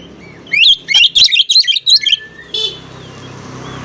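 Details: Oriental magpie-robin in a rival-provoking song: a dense run of loud, twisting whistled notes in rapid staccato bursts, followed by a short rasp and low background rumble.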